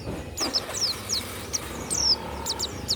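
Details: Banyuwangi-type pleci, a kept warbling white-eye, gives scattered high downslurred whistles and one longer thin note in a short burst. Broad background noise and rumble are present.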